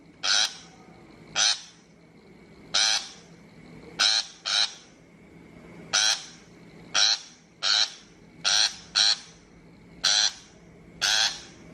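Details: Shrike call played as a trapping lure: a long run of about a dozen harsh, scratchy chacks, sometimes paired in quick doubles, repeated at uneven intervals above a quiet hum.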